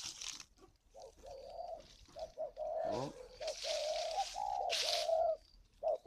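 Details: Spotted doves calling at a breeding garden in Ba Vì, Hanoi, northern Vietnam, where two pairs are kept in wild-like conditions; a run of low mellow coos under bursts of rustling noise and a man speaking.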